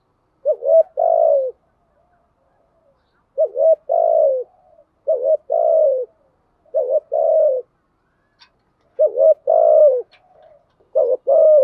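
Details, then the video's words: Spotted dove cooing meant to excite decoy doves, in thúc gù and gáy gọi styles. Repeated phrases each pair a short double coo with a longer, buzzy, down-sliding note, coming roughly every two seconds. "Tiếng chim cu gáy mồi giọng lôi cuốn hấp dẫn đủ bài[ THÚC GÙ , GÁY GỌI ]"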